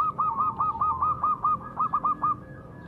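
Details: Majapahit perkutut zebra dove calling as a lure for quick singing; about a dozen short, evenly spaced, slightly rising coo notes in a rolling series lasting over two seconds.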